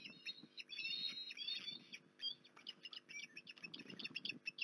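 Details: Osprey recorded at Port Lincoln on 19 January 2021 giving a few thin rising whistles early on, then scattered short high chips over low crackling and knocking noise.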